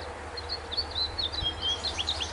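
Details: Tree swallows tending their nest near a heron rookery in southeastern Wisconsin in June 2012 give a quick jumble of liquid, high chirps and twitters, several overlapping in a steady stream, over a low rumble.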